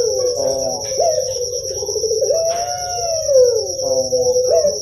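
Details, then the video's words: Kept puter pelung dove, a bird famous in Indonesia and especially Java, its voice used to stimulate young doves to sing; mellow low cooing notes with wavering, rising and falling slurs flowing through the clip, over a steady high electronic whine. "FIBRASI RANGSANGAN SUARA UNTUK PUTER PELUNG YANG MASIH MUDA"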